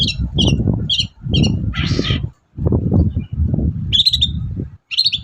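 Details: Morning song of a long-tailed shrike, used to coax other shrikes to reply: four evenly spaced sharp chips, a short harsh rasp, a pause, then two ringing squeaky notes, with deep rumbling noise throughout.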